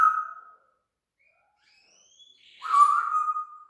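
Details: Pet talking parrot imitating sound effects: a short steady whistled tone, a pause, then a faint rising slide into a buzzy, level whistle that holds for about a second before fading.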